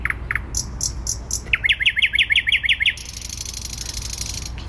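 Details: Singing thrush nightingale in the heart of Warsaw, Poland, on 12 May 2020. A few separate notes lead into a fast, regular string of about ten sharp chevron-shaped chirps. A hissing, buzzy rattle fades out afterward.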